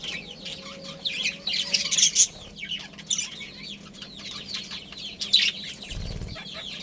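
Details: Budgies in a family group with a breeding pair: high twittering chirps run throughout, with a loud chattering burst near two seconds and a brief low thump later.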